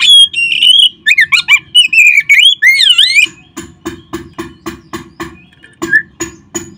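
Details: Oriental magpie-robin singing to rouse caged birds: about three seconds of loud, varied whistled phrases with up-and-down slurs, followed by a series of dry clicking ticks repeated more than once per second.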